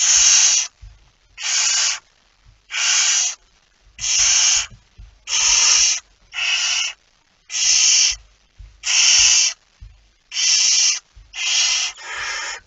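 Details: Barn owl holding a mouse, at night on 17 September 2019 around 01:49: eleven rasping, hissed screeches of similar length repeated about once a second in a steady series, with soft scuffling and knocking sounds in the gaps.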